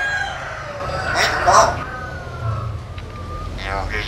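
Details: Pet common hill myna (Gracula religiosa) in the Mekong Delta, Vietnam, mimics human speech with harsh, voice-like syllables, a long drawn-out falling note and a final burst, over a steady low rumble.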